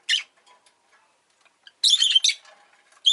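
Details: Pet rosy-faced lovebird chirping harshly, with a single shrill note at the start, a long grating burst of chirps around two seconds, and another sharp call at the close.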